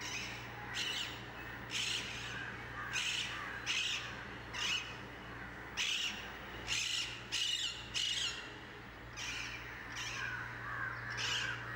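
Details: Wild rose-ringed (Indian ringneck) parakeets flying over central Mumbai, India, give harsh, high, grating screeching squawks about one every second over a steady low hum.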